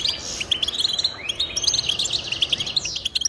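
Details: Goldfinch song for stimulating pet birds to sing, made of quick, sweet high chirps and a short rising slur, strung together in a lively unbroken twitter.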